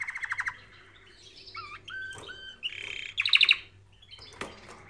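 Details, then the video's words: Singing canary for training birds: a quick pulsed trill, looping whistled notes, a buzzy passage and a bright rapid burst of repeated notes, with a sharp click near the end. "Canary Singing Video | The Best Canary Training sound"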